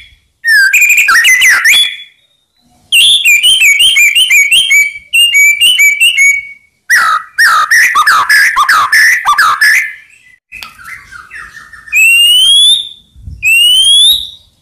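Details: White-rumped shama song meant to goad rival birds into replying: bursts of rich, varied whistles and twittering trills broken by short pauses, ending with long, pure rising whistles.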